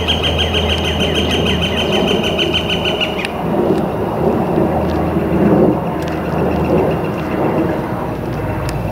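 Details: Northern flicker on a sunny April 2014 day: three seconds of quick repeated notes over a low hum, then cut off by a sharp crack and rumbling, rustling noise.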